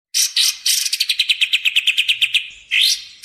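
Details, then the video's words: Sooty-headed bulbul used as a trapping lure and training song: a fast series of about fifteen clipped, bright notes, opening with buzzy chatter and closing with a rising whistled sweep. "suara burung kapas tembak | suara pikat kapas tembak!!! cocok buat pikat dan masteran"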